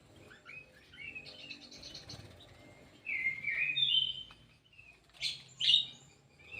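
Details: Kidangan kaso kaso, an Indonesian bird kept in an aviary, gives quiet chirps and then a louder run of warbled, twisting phrases with sharp high notes near the end. A faint low hum sits underneath.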